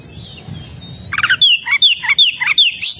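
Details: Oriental magpie-robin (kacer) opening with a low rattling burst, then a run of bright downslurred whistles repeated about every third of a second.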